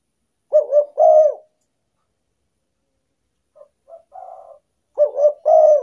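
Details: Spotted dove lure call used to attract wild doves: a three-part cooing phrase, two quick coos then a longer drawn-out coo, heard twice, with a softer, lower-level muttering sequence between the phrases.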